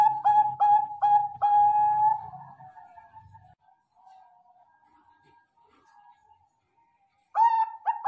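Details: Zebra dove of the Bangkok type in a mastered recording: a run of short, clear, staccato cooing notes that slide into a soft trilled hum, then fade to near silence before another bright burst of rapid notes at the end.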